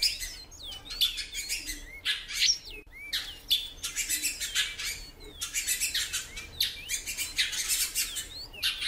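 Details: Female great-billed seed-finch calling a lot: short whistled chirps that rise and fall, some slurred downward, repeated through the stretch over dense broadband rattling and fluttering bursts.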